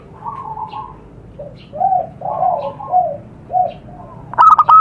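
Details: Zebra dove calling in the wild in Indonesia, a recording for luring wild birds: a run of soft, bubbling, lower coos rising and falling, closed by one loud clipped stuttering coo burst.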